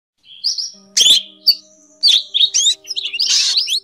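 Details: Drongo calls used as a lure for net trapping in Vietnam: short sharp whistled and chattering notes, some slurred rising, in bursts separated by brief gaps, ending in a harsh buzzy burst; faint steady electronic hum underneath.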